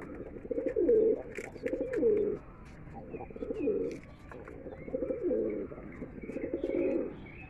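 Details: Mukhi pigeons from a collection of red, black, yellow and silver birds give low, throaty coos, each swelling and fading about once a second over a steady hum of background noise.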